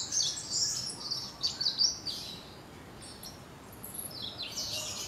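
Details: Chestnut-crowned warbler giving thin, high, quick chirps and short twittering bursts, loudest in the first two seconds, then softer scattered notes over a steady hiss of background noise.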